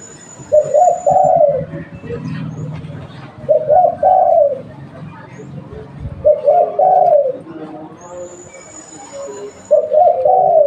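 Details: Lure spotted dove of local stock cooing steadily, four phrases roughly three seconds apart, each a brief double coo sliding into a longer descending note, over low background rumble and a thin high whistle.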